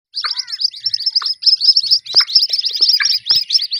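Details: White-breasted waterhen chicks calling: a dense, continuous stream of thin, high-pitched chirps, many overlapping, with a few lower downward-sliding notes, in a short burst.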